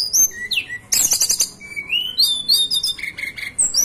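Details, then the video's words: Hill blue flycatcher from the mountains of Banten and West Java, Indonesia, singing a varied run of high, thin whistles, some sliding down, others rising, broken by a burst of sharp clicking rattles and quick chirped notes. "Tledekan Gunung lokal asli Banten"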